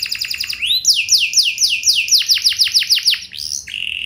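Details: Canary singing a lure phrase meant to set other canaries singing in reply: quick trill opens into a series of bright downward-sweeping whistles, about three each second, ending in a short steady note; faint low rumble beneath.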